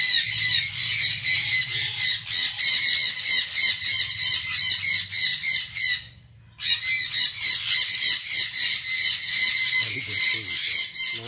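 A sun conure gives loud, harsh, rapid screeches, repeated several times a second with a brief pause.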